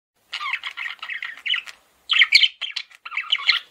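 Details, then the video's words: Male budgerigar, a pet parakeet, chattering in a rapid run of squawky, harsh chirps and warbles, two bursts split by a short pause. "MALE PARAKEET SOUNDS"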